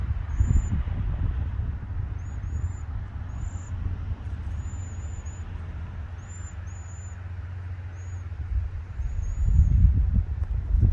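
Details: Cedar Waxwings in the trees in the evening, travelling as a large flock, give very high, thin, lisping notes, a dozen or so scattered over ten seconds, over a steady low rumble of traffic.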